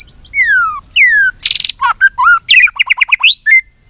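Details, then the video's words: White-rumped shama fighting song, caged bird in Vietnam: long downslurred whistles, a harsh buzzy burst, then rapid alternating chirps and whistled notes in a lively sequence. "Luyện giọng chòe Lửa hót đấu"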